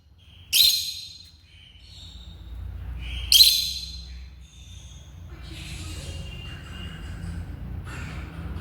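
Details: Kept African lovebirds give two loud, harsh, high-pitched shrieks about three seconds apart, followed by softer chatter against a low background hum.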